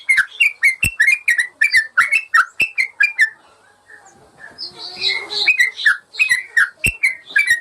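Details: Training song of a yellow-vented bulbul for caged birds: rapid bubbly whistled notes repeated several times a second, a brief quieter patch of softer chattering, then the lively whistling resumes.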